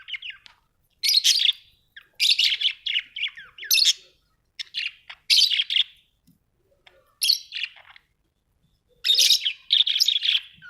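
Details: Budgerigars chattering in quick clusters of raspy, buzzy chirps, several bursts grouped together with brief pauses, busy and continuous warbling.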